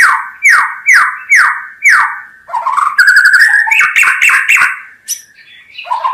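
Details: White-rumped shama singing: five loud descending whistled notes repeated about every half second, then a rising run of fast rich warbled phrases and a final low whistle.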